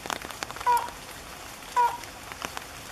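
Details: A slaty-legged crake at Goncoi, Aldona, Goa, India, on 10 July 2014 gives two short, level, nasal notes about a second apart, over a steady hiss with scattered drip-like ticks.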